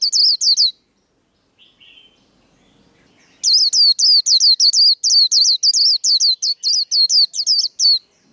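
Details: Caged-contest style líu song from a white-eye: a few sharp hooked whistles, a pause with a faint chirp, then an extended unbroken string of about fifteen rapid, high, sweeping notes.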